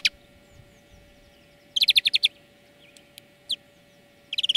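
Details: Greenfinch song used as a training lesson for birds: a quick burst of rapid twittering notes, a few isolated chips, then another trill starting, with a constant low hum behind.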